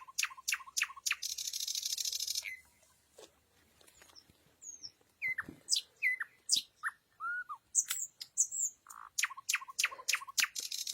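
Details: Night song of a nightingale: rapid repeated chirps, a long harsh buzzy rattle, scattered clicks, then varied whistled and ringing phrases delivered in fast succession.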